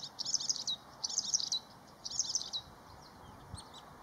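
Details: A bluethroat sings in spring (late April to May) with short, high, metallic phrases of ringing and ticking notes, about one each second; recorded while waiting for a heron.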